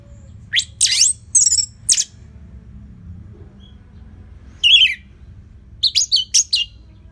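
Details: Orange-headed thrush, the red thrush of Indonesian songbird keepers, singing to coach other birds: separated loud, high, scratchy whistled notes in small groups, with pauses of several seconds between bursts.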